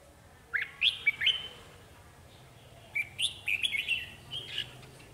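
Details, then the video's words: Red-whiskered bulbul decoy singing to lure wild birds into a trap: two bursts of bright, warbling whistled notes, rising and falling, separated by a quiet gap of about two seconds. "Bẫy chào mào Mồi chơi quá sung bổi còn né"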